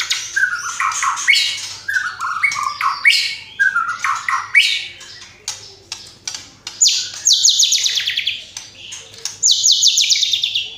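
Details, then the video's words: A white-rumped shama, or murai batu, performs a luxurious isian song packed with tembakan. Slurred whistled phrases drop and rise in repeated groups, followed by two dense high buzzy bursts near the end. "MURAI GACOR BONGKAR ISIAN !!! MURAI BATU ISIAN MEWAH FULL TEMBAKAN"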